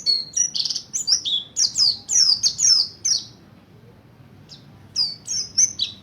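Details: Mountain white-eye, Buxtoni type, learning ngalas ngerol song as a lure for others: about a dozen piercing, high downward-sweeping chirps rattled off in three seconds, a second of silence, then another short burst.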